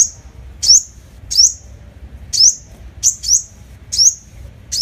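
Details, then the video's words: Five-coloured sunbird, recorded as a lure: sharp, high chips that sweep upward, given in an uneven series of about seven notes, some closely paired, over a faint low background hum. "Tiếng hút mật 5 màu mồi, file tiếng hút mật 5 màu- Sunbird sound"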